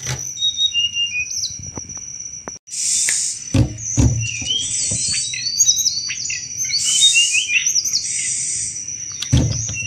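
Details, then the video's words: Chattering song of a Sunda robin, used to attract thrushes: a sustained high whistle, then dense rapid twittering and slurred notes, punctuated by loud percussive knocks. "tledekan gunung gacor cetrekan cocok buat mancing segala jenis anis"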